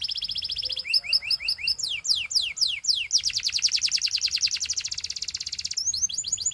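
A Belgian canary sings a fast, rolling series of high trills and repeated sweeping notes, changing tour every second or so, with no other sounds.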